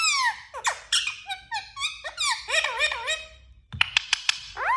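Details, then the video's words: Talking parrot, indoors in a small room: squeaky, harmonic voice-like phrases with rising and falling pitch sweeps, short bursts separated by brief pauses, a sharp clicking section near the end, a low background hum. "Talking Parrot"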